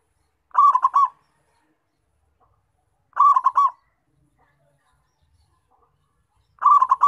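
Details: Local zebra dove in full voice, a recording meant as a lure for catching wild doves: short bursts of four or five quick, rolling cooing notes, each phrase about half a second long, repeated roughly every three seconds against a silent background.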